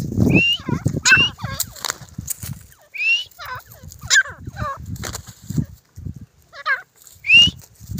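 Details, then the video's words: Grey francolin during a fight, uttering loud, ringing, upward-sweeping notes in uneven clusters with brief pauses between them, and faint low background noise. "Desi Teetar Ki Awaz | Grey Francolin Fight Video 2023 | Teetar ki ladai"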